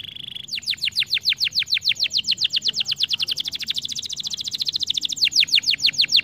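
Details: Stimulating canary song: after a brief high buzz, a long rapid roll of repeated descending chip notes, evenly spaced and bright, continuing without break and slightly slowing at the end.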